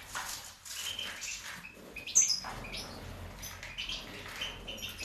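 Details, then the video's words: Recorded in 2019, a major-subspecies European goldfinch utters quick high tweets with one sharp bright note near the middle, against a noisy background. "Carduelis Carduelis major 2019"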